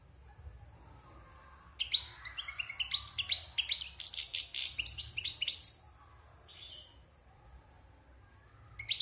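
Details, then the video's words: After a quiet opening, a wild European goldfinch, caged since its moult, launches into a dense, liquid twitter of high chirps and scratchy trills lasting about four seconds, then falls quiet before a final note. "Chant de Chardonneret sauvage (Repassage)"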